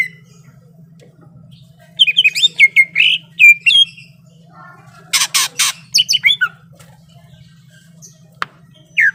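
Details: Greater green leafbird in fighting mood: a quick run of whistled and chattering notes, a harsh noisy rasp, more slurred whistles, then near silence with faint low hum.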